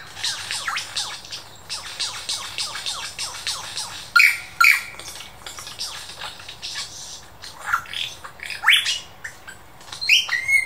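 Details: Superb lyrebird at the Dandenong Ranges Botanic Gardens, Australia, mimicking local birds and sounds like a laser gun and camera shutter: rapid downward-sweeping zaps in quick series, then loud clear whistles and sharp rising notes in bursts.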